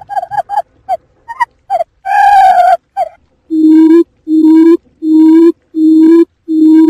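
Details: Quail lure call: a few varied, higher hooting notes, then a steady run of low, hollow hoots, one about every three-quarters of a second.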